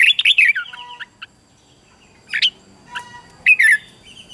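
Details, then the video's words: Sparse red-whiskered bulbul morning song for training wild-caught birds: an opening warbled phrase, then isolated whistled notes and short chirps separated by pauses, over a quiet background. "luyện cho chào mào bổi hót | luyện giọng chào mào hót sáng kích bổi hót đấu căng lửa. chào mào hót"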